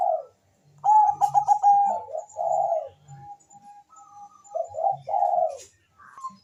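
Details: Bangkok zebra dove singing sweetly to stimulate mating and singing; rapid stuttered trill opening, burry warbled coos, thin sustained tones and a final rising gurgle.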